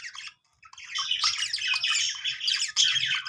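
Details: Several budgerigars making happy sounds, a dense, continuous warbling chatter of squeaky, scratchy high notes and chirps with no pauses after a brief gap at the start.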